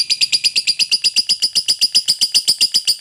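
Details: Lovebird fighter giving a long ngekek trill meant to provoke rival birds: rapid, even chattering notes repeated about four times a second, bright and high-pitched, sustained throughout without pause.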